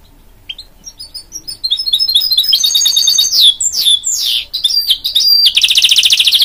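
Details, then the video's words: A mule, hybrid of goldfinch and canary, begins with soft separate chirps, swells into loud downward-sweeping whistles and twitters, and ends in a fast, even buzzing trill. "Birds Professor Sings A Summit in Magnificence-Good"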